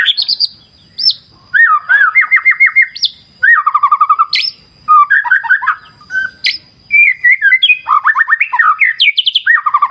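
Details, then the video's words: A white-rumped shama sings energetic phrases by a clear wild river: short bursts of rolling whistled trills and sharp high chips every second or two, interrupted by brief pauses, a faint steady high whine throughout. "Terapi Murai Batu Ala Alam Liar Sungai Jernih"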